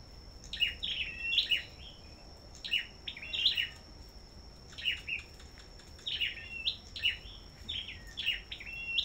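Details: Red-whiskered bulbul singing competitively at a bird farm: short lively warbled phrases of rising and falling chirpy notes, repeated about every second or two across the recording, with a constant high-pitched electronic whine behind.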